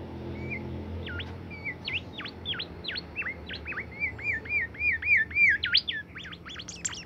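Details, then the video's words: Caged bimoli bird singing nonstop. A fast, lively run of sharp, swooping whistled notes, each dipping and rising, with several given every second. The notes grow louder and denser toward the end over a low background hum. "fuul gacor burung bimoli"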